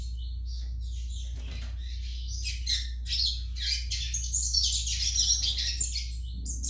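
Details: Young Yellow-bellied Seedeater song: it starts with sparse, clipped chirps, then turns into a dense, buzzy, high-pitched twitter toward the end. A faint low hum runs throughout.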